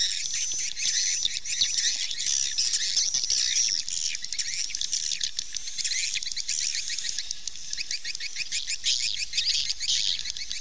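Dense, high twittering chatter of swiftlets, many rapid chirps and buzzy trills overlapping without pause, with a faint low rumble beneath.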